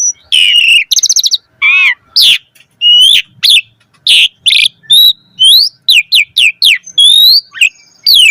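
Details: Varied, chatty song of an Asian pied starling used as a lure for starlings: scratchy harmonic notes, a quick stutter of clicks, then many crisp downslurred and rising whistles repeated at a brisk, even pace.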